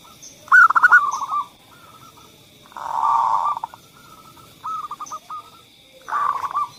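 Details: Zebra dove cooing as a lure for quiet doves: several separate bursts of rolling, stuttered coos with gaps between, plus some thin high chirps.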